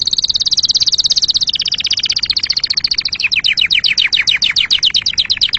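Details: Canary song: rapid trills of repeated notes, a fast high rattle sliding lower then breaking into slower, distinct downward-swept notes about five per second, clear and loud throughout.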